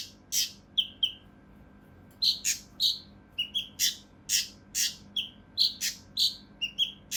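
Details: For tutoring competition songbirds, a mountain leaf warbler sings in a harsh, dense style: sharp clicks and chirps, a brief gap, then a long irregular run of rasping bursts mixed with short high chirps.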